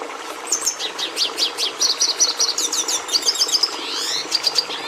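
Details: Red siskin song beginning softly, then a rhythmic string of high chirps and slurred notes about two or three per second, ending in a buzzy rising trill and sharp repeated notes.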